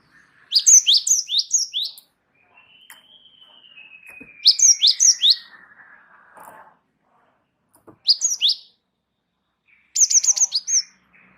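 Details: Java sparrow of the wingko form singing a rolling tutor song to lure other birds into song: repeated runs of five or six bright, downslurred chirps, broken by a long soft falling whistle.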